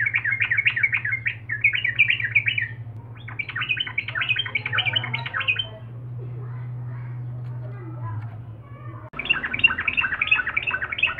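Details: Sooty-headed bulbul in strong song aimed at provoking rival birds, with several runs of rapid bubbly chatter broken by a quieter humming stretch, then a final loud, dense chattering run.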